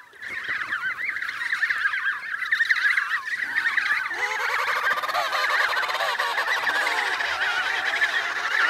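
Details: Emperor penguins in Antarctica calling in a dense colony chorus, many overlapping warbling, trumpeting voices rising and falling without pause; chicks present, eating snow for hydration.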